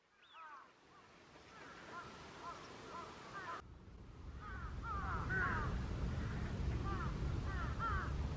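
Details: Eurasian wigeon, wild birds on the Kanto Plain, Japan, in December: a flock gives many bright whistled calls, arched and falling in pitch, overlapping in bursts, with low rumbling noise rising in the second half.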